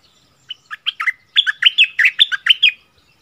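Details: Bulbul in a double-phrase singing style, February 2021: a short run of lively, liquid whistled notes that starts sparse and quickens into a dense, bouncing phrase of about a dozen notes.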